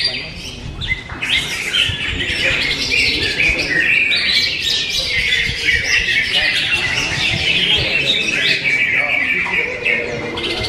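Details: Greater green leafbird's classy song material: a long, energetic stream of high squeaky chirps, twitters and brief whistles, densely packed and unbroken, softer only at the very start.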